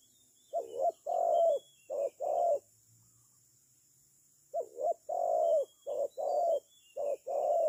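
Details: Spotted dove employed as a decoy in trapping repeats its husky coo phrases, short note then longer note, twice, pauses about two seconds, then delivers three more pairs; faint high insect buzz in the background.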